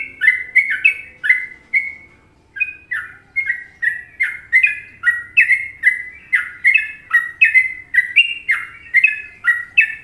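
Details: Long Trucukan phrase from a sooty-headed bulbul on an Indonesian masteran recording: a few bubbly notes, a brief pause, then a lively unbroken stream of rich, downslurred chirps, with a faint hum behind.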